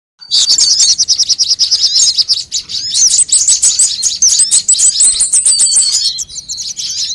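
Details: Sunbird calls played as a lure to make birds sing: dense, high, rapid chirps and twittering trills, pouring almost continuously with sharp ticking notes throughout.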